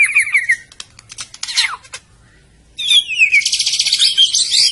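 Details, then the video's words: White-rumped shama from Medan singing; bright varied phrases of fast trills and sweeping whistles, a short pause, then a dense run of rapid repeated high notes. "kicau burung murai batu medan"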